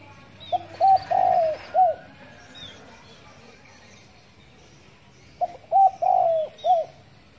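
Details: Morning call of a spotted dove, the same cooing phrase given twice about five seconds apart, each a quick pair of coos, a drawn-out falling coo and a clipped closing note. Faint high chirps from other birds sound between phrases.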